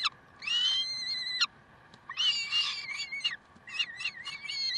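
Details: Peregrine falcons recorded in Karlsruhe, 30 May 2010, 7:27: long, drawn-out, rich harmonic wails, the first held about a second, then a run of shorter wavering screeches with slight pitch bends, over faint background hum.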